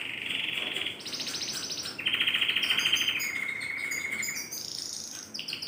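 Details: Silver agate canary singing actively (gacor) on 23 December 2020: rapid rolling trills shifting between pitches, a low trill, a higher trill, then a long even trill that gradually drops, with thin high notes above.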